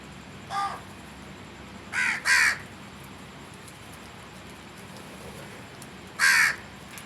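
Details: Crow cawing: a single harsh caw, then a quick pair of loud caws, and one more after a pause of about four seconds, against a quiet background.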